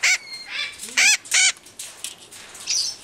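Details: A captive-bred Hahn's (red-shouldered) macaw gives four loud, harsh, squawking calls in quick succession, each about a tenth of a second, with a fainter screech at the end.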